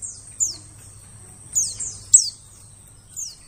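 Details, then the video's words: White-eye lure call for attracting birds in the forest: sparse, very high downward-sliding chirps, some doubled, over a steady low hum. "suara pikat burung pleci cocok buat pikat burung di hutan liat"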